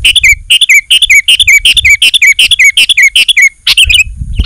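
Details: Sooty-headed bulbul in lively, vigorous song, used as a lure for wild bulbuls and to coax reluctant birds in a garden into singing. Fast run of bright chirping phrases, each ending in a falling slurred note, about three per second, then a looser ending.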